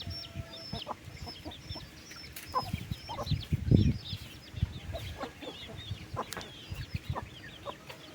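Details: Flock of free-ranging chickens on a farm at afternoon feeding time, mid-August: many overlapping short clucks and squawks scattered through the clip, with a low rumble of movement and one louder burst near the middle.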